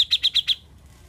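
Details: Grey-cheeked bulbul (cucak jenggot), said to have gone from silent to a lively, prolific singer, gives five quick high chipping notes about a tenth of a second apart, then stops, over a faint low hum.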